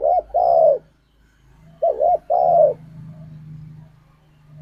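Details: Lure song of spotted doves to make pet birds sing: two paired, deep, slightly hoarse coo phrases about two seconds apart over a low constant hum.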